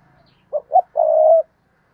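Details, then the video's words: A decoy spotted dove perched on a tree cooing and calling to lure wild doves: two short low hoots followed by one long, steady, mellow coo, then silence. "Chim Cu Mồi Cây Thúc Gù Và Gáy Gọi/ Cu gáy kích bổi nhanh nổi gù"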